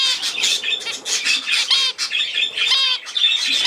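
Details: Budgerigar warbling steadily: busy high scratchy chatter mixed with a few bent, harmonic whistled notes, continuous for the whole stretch.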